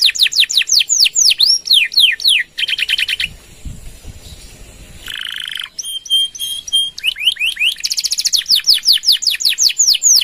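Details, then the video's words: Singing canary used as a master recording for other birds, in 'gacor' style with long 'nembak' runs: repeated falling whistles and buzzy trills, broken by a quieter stretch of low rumbling noise, then a dry rattle and more sweeping whistles. "Suara Kenari Gacor | Full Nembak Panjang!!"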